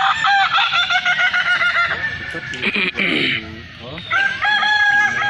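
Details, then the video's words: Balenggek chickens at a crowing festival in Kota Solok: long harmonic crows, several overlapping, with rich ringing tones and a noisy crowd background. "festival ayam kukuak balenggek Kota Solok"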